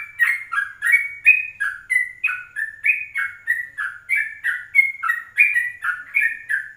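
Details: Morning 04:30 recording of a yellow-vented bulbul used to lure and train other birds: a steady stream of short liquid whistled phrases, jumping up and down in pitch, nearly three per second without a break.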